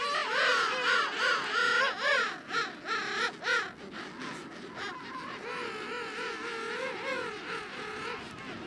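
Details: King penguin colony of several thousand birds that call without pause, even at night; loud, pulsing, warbling trumpet calls with strongly wavering pitch dominate the first half, then fade into a steady background chorus of many overlapping callers.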